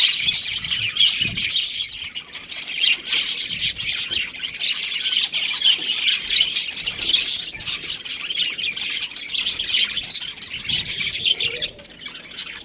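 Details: Budgerigar breeding pair giving steady, busy high-pitched chirps and warbling chatter that runs without pause, with a faint low thump near the start.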